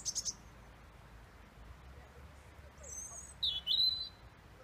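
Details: A male European robin in Roslin Glen sings thin, high, silvery phrases: a quick trilled burst, a pause, then sliding whistled notes, against a faint background hum.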